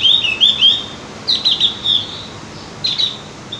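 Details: Javan grey-throated white-eye, known locally as opior jawa or cucak gentong, singing as a lure to get birds singing regularly: rapid bursts of high, twittering whistled phrases separated by brief pauses, with faint hiss behind.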